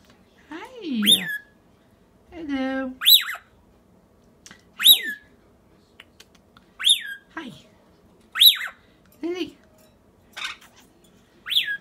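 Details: Pet rainbow lorikeet in a classroom squawking to get attention: shrill, piercing squawks that drop in pitch at the end, repeated roughly every one to two seconds, with a few lower buzzy notes in a quiet indoor room.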